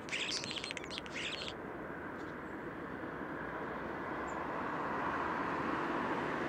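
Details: A common starling gives a quick burst of scratchy, clicking and whistled song for a second and a half, then falls silent and preens, over a steady roar of moderate traffic.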